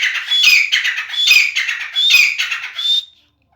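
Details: Grey francolin, a caged Sindhi teetar, calling loudly in a rhythmic harsh phrase repeated about every 0.8 seconds, with thin whistled notes overlaid, stopping abruptly near the end.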